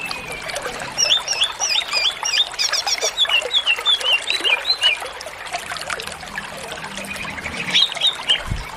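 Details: Greater green leafbird (cucak ijo) song used for training other birds: lively whistled phrases with rapid rising and falling slurs and trills, bursts of varied notes over a constant background hiss resembling trickling water.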